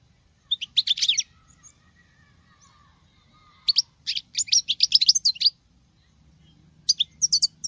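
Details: Female European goldfinch in captivity giving male-like song: brief twittering bursts separated by pauses, the middle phrase a fast series of bright, slurred chirps; faint thin whistles between phrases.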